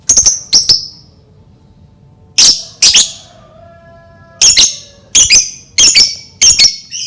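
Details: Lovebird heard as a lure to make other lovebirds start singing, giving sharp high chirps mostly in pairs, with a pause near the middle and then a steady run of doubled squeaks toward the end.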